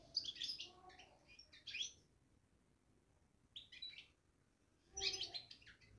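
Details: Babbling European goldfinch in a cage, uttering three separate bursts of fast, high, jingling twitter, each lasting about a second, with quiet gaps between them.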